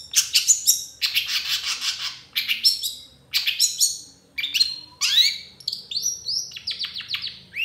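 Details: Energetic 'tembakan' song of a long-tailed shrike with 'isian' fill, used as a tutor recording: rapid scratchy chatter in long bursts, followed by a run of quick rising whistled notes.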